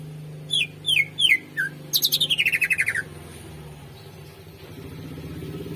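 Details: Greater green leafbird song, used to lure and train other birds: a few quick downslurred whistled notes, then a fast buzzy rattling trill falling in pitch, over a low steady hum.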